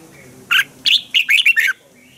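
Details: Red-whiskered bulbul, a Thai caged song bird, delivering a crisp phrase of about six clear chirped notes that slur downward, spaced tightly within just over a second, over a quiet background.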